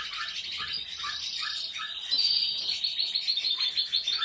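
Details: Canary song, from birds of the Portuguese Harlequin, Spanish, Malinois and Spanish Timbrado breeds: a run of quick repeated rolling notes about three per second, then brighter, louder high trills and chirps over a noisy background.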